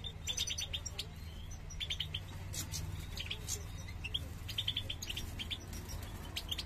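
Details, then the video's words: A male European goldfinch inciting the female to nest so they can reproduce; rapid runs of high chirps repeated in small clusters, steady low hum underneath. "macho de jilguero incita a la hembra para que haga el nido"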